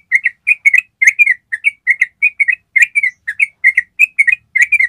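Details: A yellow-vented bulbul delivers a ropel trill for training other birds: brisk bubbly notes in an unbroken series, several each second, with slight pitch changes between notes and no background noise.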